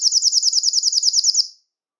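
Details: Belgian canary, song for stimulating males and females toward breeding; a fast, even, high trill of about fifteen short notes lasting a second and a half before stopping.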